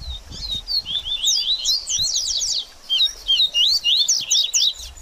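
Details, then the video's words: Double-collared seedeater singing a baderninha, played to stimulate a bird after its moult: two dense bursts of quick high chirps, rising slurs and sharp downstrokes, separated by a short quieter gap near the middle. "BADERNINHA DE COLEIRO Top Pra Esquentar Seu Coleiro Pós Muda De Penas!!!"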